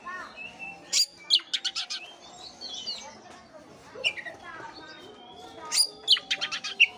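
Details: Oriental magpie-robin song played to stir a lethargic bird: sharp chirps and fast buzzy rasp series separated by softer whistles, against a noticeable background hiss.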